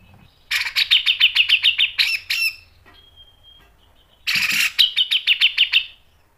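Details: Grey-cheeked bulbul in full song with sharp rasping bursts, used for training: two bursts of fast, buzzy, repeated high notes about two seconds each, with a thin steady whistle in the pause between.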